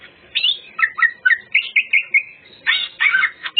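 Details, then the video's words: Greater green leafbird in full song, used to lure other birds: quick whistled and slurred notes, each phrase under a second, rising and falling, ending in harsher chattering bursts. "Cucak ijo bongkar isian full materi , sangat ampuh pancingan burung bahan"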